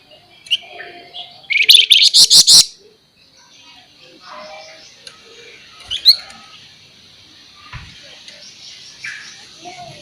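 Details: Flamboyan singing in sharp 'nyerecet' style, a masteran training recording: one loud scratchy rattling burst of about a second, followed by faint high chirps and soft twittering over quiet background.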